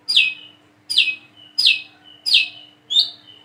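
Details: Five shrill, downslurred notes from a plain-throated sunbird learning to sing, each about half a second apart with a faint thin whistle between them.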